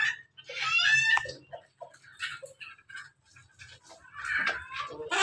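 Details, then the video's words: Pelung and Ketawa roosters heard together. A brief harmonic crow rises and falls, followed by quieter broken notes, low background hum and a second rough burst toward the end. "ayam pelung ayam ketawa bersama"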